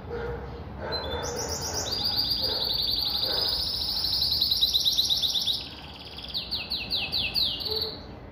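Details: Pintagol, a cross between a Venezuelan siskin and a female Belgian canary, pours out a long high rattling trill of fast repeated notes, pauses briefly, then resumes with a slower run of rising strokes.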